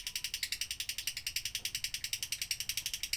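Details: Quieter doubbelan-style lovebird song, used for tutoring other birds: a steady, buzzy rattle of about eight evenly spaced high pulses a second, unchanging in pitch.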